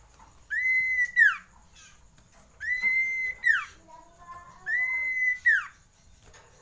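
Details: Common iora song, used to raise breeding urge: long drawn-out level whistles, each ending in a sharp downward slur, repeated about every two seconds, with softer lower notes between.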